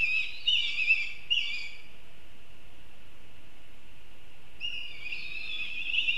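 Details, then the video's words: Black kite in Kurzeme giving a thin, wavering whinnied call in two bursts, one at the start and one near the end, separated by a quiet stretch with steady low background hiss. "Melnas klijas Milvus migrans"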